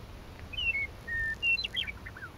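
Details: Meadowlark song from a Lethbridge coulee, May 9, 2014, with clean whistled notes, one long level whistle, and a rapid warbled, gurgling flourish at the close over faint low rumble.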